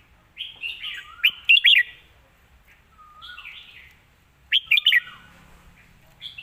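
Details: Red-whiskered bulbul, song praised for good phrasing and a light delivery: repeated phrases, each a soft lead-in of slurred whistles rising to a cluster of loud, bright notes, heard twice about three seconds apart.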